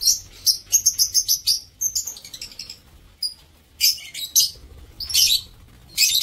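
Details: Aviary lovebirds, 7 April 2024, giving a fast run of shrill high chirps, then scattered harsher bursts after a short pause, with a faint low hum under them.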